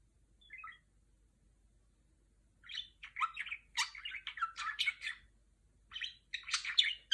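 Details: Female pet budgerigar imitating R2-D2 from Star Wars: a lone short chirp, a pause, then a dense run of rapid warbled whistles, buzzy notes and clicks, ending in a second burst of twittering chatter.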